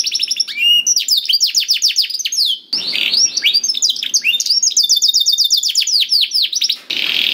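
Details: Canary singing, used as a lure to get a slow canary singing: rapid chattering trills and sweeping whistles, broken by short bursts of hiss-like noise near three and seven seconds.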